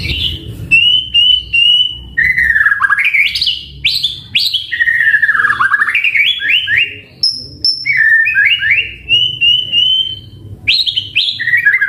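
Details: White-rumped shama, a caged bird in full song with a varied repertoire: loud whistled phrases swooping between low and high, rising chirped runs and steady held notes, delivered in bursts with brief pauses.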